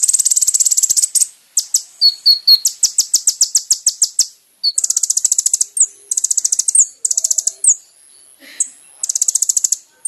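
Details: Brown-throated sunbird (kolibri ninja) song used to train caged birds: extended high, fast stuttering trills and chattering runs mixed with thin descending whistles and brief gaps, continuous over ten seconds with no other sounds.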